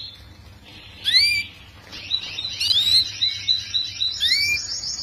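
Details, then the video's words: Young canary song, used as a master recording to tutor young canaries kept together in a group cage so they start singing quickly: scattered high chirps and sharp up-and-down sweeping whistles, with a thin buzzy trill continuing between them. "Kicauan Kenari Paud Untuk Pemasteran Kenari Muda Ombyokan Agar Cepat Bunyi!"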